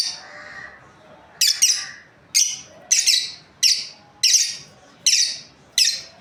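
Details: Pet lovebird breeding pair chirping: after a soft opening chatter, a regular run of loud, harsh, high chirps about every two-thirds of a second, some in quick pairs.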